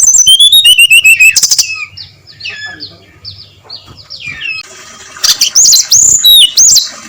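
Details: Brown-chested jungle flycatcher singing loud, open 'ngeplong' style song before dawn: a bright whistled series stepping downward, then softer varied chirps and slurred notes, ending with renewed loud ringing whistles.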